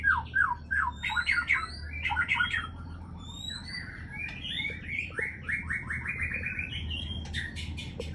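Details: Aceh white-rumped shama breeding-stock bird in rapid song. Fast repeated chattering phrases give way to a long run of quick rising whistled notes, ending in sharp high ticks. A steady low hum runs underneath throughout.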